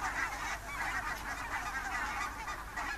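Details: Wild geese of mixed species, Barnacle, Greylag and White-fronted, flying in thousands one October morning from sleeping shallows on the IJsselmeer to feeding fields near Gaast, Netherlands; continuous massed honking and yelping, many birds calling at once.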